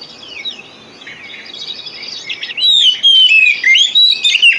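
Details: Lure song of the Oriental magpie-robin for coaxing reluctant birds to sing: soft, busy twittering at first, then a loud run of clear slurred whistles and sharp chirps in the second half.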